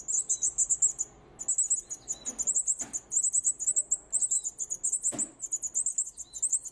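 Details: Hungry baby birds being hand-fed in a wild bird care centre in late summer, giving continuous, very high-pitched rapid chittering begging calls with brief pauses.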